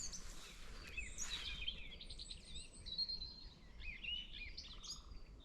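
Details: Garden warbler (Sylvia borin) singing in a forest in spring, 23 April 2024, during migration: a fast, continuous warble of scratchy and mellow notes with no pauses and no blackcap-like flute ending, over low rumble; recordist believes garden warbler.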